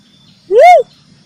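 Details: Ruddy cuckoo-dove, known locally as uncal or gedewo, used as a trapping lure: a single loud, pure whistled note that rises and then falls, lasting about a third of a second, over a quiet background.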